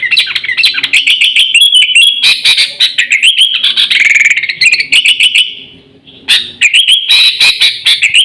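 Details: Sooty-headed bulbul lure call for attracting birds and training pet birds: busy mix of sharp chips and warbled whistles, a trailing whistle fading into a short silence, then renewed fast chatter.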